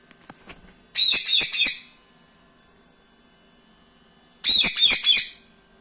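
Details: Indian parrot kept as a pet in a small indoor room, chirping in two separate bursts about three seconds apart. Each burst is a rapid cluster of shrill, high, warbling notes lasting under a second, with a few soft clicks between them.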